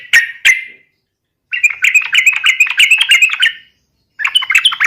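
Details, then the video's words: Yellow-vented bulbul giving a fighting song meant to provoke rivals: two sharp chirps, then a two-second burst of rapid, bubbly chattering notes, a pause, and another quick chattering phrase. "SUARA trucukan gacor TARUNG MEMANCING LAWAN"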